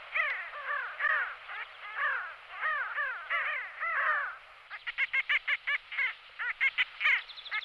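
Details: Pin-tailed sandgrouse at Belchite, Zaragoza, Spain, in July 2019 giving harsh, nasal rolling calls, first in slurred arched notes, then quicker clipped ones about three per second.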